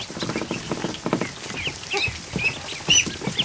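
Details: Afternoon in a barn with 100+ ducklings fresh from hatching, swimming in a kiddie pool; loud clustered high cheeps and rising whistled peeps, several overlapping, mixed with paddling and splashes.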